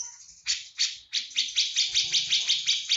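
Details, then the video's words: Cucak jenggot from Java in full 'tembakan' song, delivering loud coarse buzzy notes repeated almost three times a second in a rough, insistent series. "Cucak jengot jawa full tembakan"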